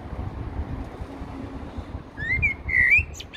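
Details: After a quiet start, a Eurasian blackbird at Heidelberg Castle delivers a rising, slurred flute-like phrase with high thin squeaks on top, over a faint low rumble.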